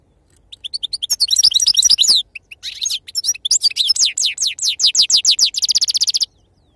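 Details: Goldfinch song in the authentic khalwi (wild) sarfati style: sharp high twitters build into rapid downward-sweeping notes, a brief pause, then a long run of slurred chirps ending in a fast ringing trill.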